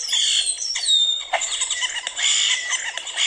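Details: European starling, a colonial bird that chatters in groups and nests in stadium lights, giving a dense run of harsh squeals, clicks and rattling monkey-like chatter with a brief thin whistle near the start.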